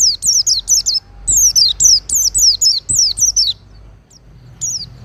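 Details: Master-training recording of an Oriental white-eye: rapid series of high, downward-slurred whistled notes in two bursts, about a dozen in all, followed by a short gap and one more note.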